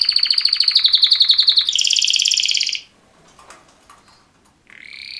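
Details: Two males singing canary mating song, a bright pulsed trill that jumps higher into a buzzy roll, a quiet gap with soft background noise, then a new trill starting.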